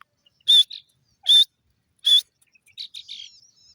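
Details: Grey francolin (teetar) calling: three loud, harsh, buzzy notes spaced about 0.8 seconds apart, followed by softer, thin chirps and twitters.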